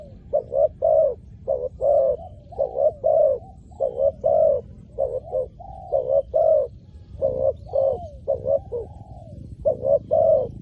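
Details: Spotted dove used to lure wild doves on the ground, giving loud hoarse coos in quick paired and tripled bursts, with short gaps between phrases, about twenty notes over ten seconds, in a quiet setting.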